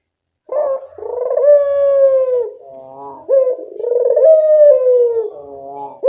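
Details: A talkative captive Barbary dove, recorded to help quiet birds start calling: two long, buzzy-edged coos, each dropping at the end, separated by a softer low in-between phrase.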